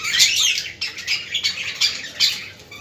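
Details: Budgerigars chattering, played to stimulate other budgies: dense, scratchy high-pitched warbling in bursts, several overlapping voices with sharp squawky notes.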